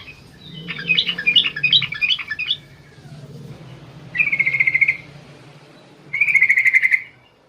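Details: Yellow-vented bulbul, a female calling the male at night: a bubbling burst of rapid chattering notes, then two separate flat buzzy tones, each lasting under a second, over a low background hum.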